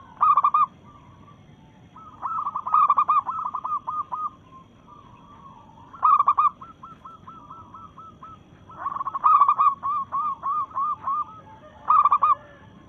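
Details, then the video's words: Zebra dove, a local perkutut in breeding mood, singing a challenging song at rivals: five bursts of rapid, rolling coos about every three seconds, each followed by a string of lighter, evenly spaced notes. "Perkutut Lokal Gacor SUARA menantang lawan"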